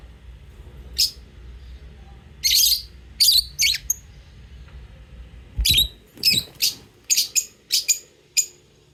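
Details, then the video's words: Lovebirds chirping and calling: sharp, high squeaky chirps, first scattered, then a quicker series of about eight in the last four seconds, over faint low background noise. "Cute love birds singing sound and chirping sound"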